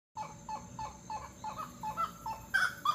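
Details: Grey-necked wood rail in Costa Rica calling: a series of hollow, clucking double notes repeated about every third of a second, rising in pitch and growing louder toward the end.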